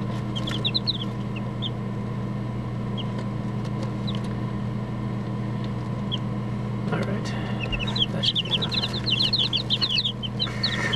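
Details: Young chickens huddled together in a cardboard box give high, thin peeps: a short burst at the start, scattered single cheeps, then a busier run of rapid peeps near the end over a steady electrical hum and faint room noise.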